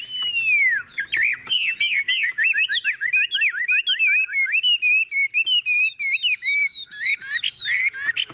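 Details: Tame caged Chinese hwamei, said to be at ease while its cage is shaken, sings a long stream of fast, loud, varied whistles, sharp slurred notes tumbling up and down with scattered clicks behind.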